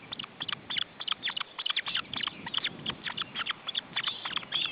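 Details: Osprey nest in June 2012 with chicks being fed: rapid series of high, sharp chipping notes, several per second, some clustered in bursts, over a steady low background hiss.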